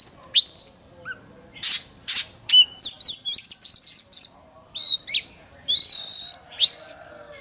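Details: Oriental magpie-robin training for song contests: powerful, pure whistled notes alternate with buzzy, rapidly modulated trills, delivered in distinct phrases with short gaps.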